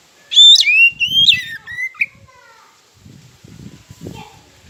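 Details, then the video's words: Oriental magpie-robin song played as a lure to trigger silent birds and rivals: a bright sequence of whistles with steep pitch jumps that gradually descends, followed by low scuffling noises. "Pancingan KACER Macet Bunyi"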